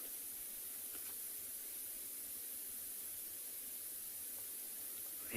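Soft, even high-pitched hiss throughout, ending in a brief louder burst; no animal sound.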